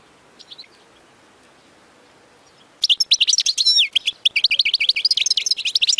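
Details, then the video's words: European goldfinch song, described as error-free and played for young goldfinches to learn from. Nearly silent for three seconds with a few faint notes, then rapid, dense, high twittering with tinkling trills and buzzy notes that run to the end. "اقوى تغريد لتسميع فراخ الحسون خالي من الاخطاء"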